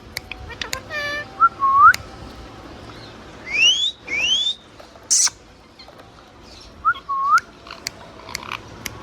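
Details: A pet ringneck parrot talking and chirping gives clear, hooked whistles and two long rising whistled sweeps, with a short burst of nasal, speech-like chatter and scattered sharp clicks.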